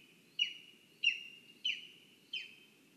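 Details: Lesser spotted eagle (Clanga pomarina) at its nest in a spruce, Zemgale, Latvia, giving four high, thin yelps that slur downward, about one every two-thirds of a second, over a faint low rumble.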